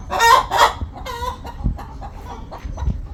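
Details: Hen calling before laying an egg: two loud, harsh, buzzy cackles, then a drawn-out nasal note and softer scattered clucks, with low thumps in the background.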